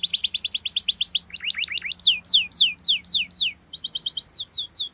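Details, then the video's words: Gacor canary in ngerol style, training lure for young birds: a rapid high trill, lower choppy notes, a series of loud falling whistles, then a quicker quiet chirping run. "KENARI Gacor Cuit cuit NGEROL TAJAM Menekan Lawan, Pancingan KENARI PAUD belajar bunyi | Canary bird"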